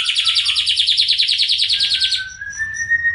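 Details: A greater green leafbird tutor song for getting young birds singing: a fast, high, chattering warble for about two seconds, then a thin, slowly rising whistle over a faint low hum.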